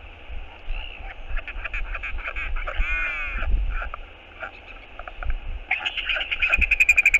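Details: Northern royal albatross giving a skycall of love as its partner returns to the nest, filmed on a nest cam on 11 February 2022: a short, drawn-out harmonic bray amid rapid clattering pulses, with steady wind rumble throughout.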